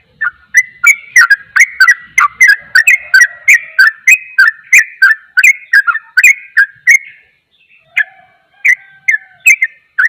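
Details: Yellow-vented bulbul giving a rapid song that stirs other bulbuls to agitation: a quick string of short whistled notes, each with a sharp click, repeated several times a second, pausing briefly before resuming.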